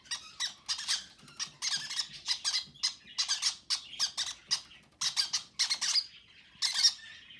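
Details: Young conures fed by parent birds on February 6 give fast, stuttering series of scratchy, buzzy squeaks and rasps, nearly nonstop, with a few higher whining notes near the end.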